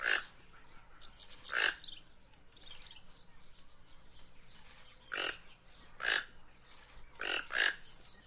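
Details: A string of harsh, croaking notes from a Guianan toucanet at irregular intervals, including close pairs, with soft scratchy background sounds.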